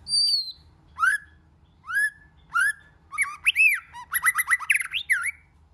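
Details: White-rumped shama song, many-voiced: a high clear whistle, then three upward-swooping notes spaced under a second apart, breaking into a fast, varied tumble of chirps, trills and rising slurs.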